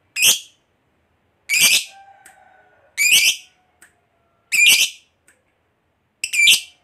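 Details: Lovebird calling to companions: single sharp, harsh shrieks repeated about every one and a half seconds, with short silences between them and a faint low tone in the background.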